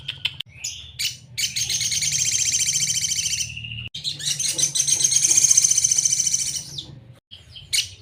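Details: Crimson Sunbird (sogon) masteran song, sejalur style, for training cage birds: two long, fast, buzzy high trills separated by a short whistle and brief silence, then scattered chirps, over a steady low hum.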